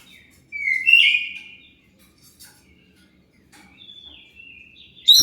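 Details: Oriental magpie-robin song for drawing answers from other birds: a loud, sweeping whistle sliding down then holding, then quieter level whistles and a sharp final burst.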